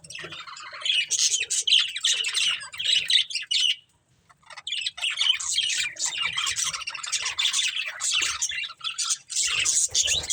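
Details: Pair of breeding budgerigars warbling in a long, rapid stream of scratchy chirps and squawks, broken by a clear silent gap around four seconds before resuming.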